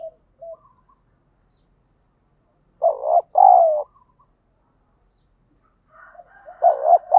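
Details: Spotted dove cooing to spur fighting and train a decoy bird: soft low notes, then a loud hoarse two-part coo near three seconds and another paired coo at the end, separated by silence.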